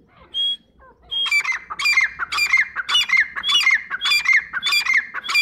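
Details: Grey francolin giving its call: a single clear whistle, a pause, then a steady run of loud, metallic, rhythmic phrases, roughly two per second, each with a high whistled note sliding downward.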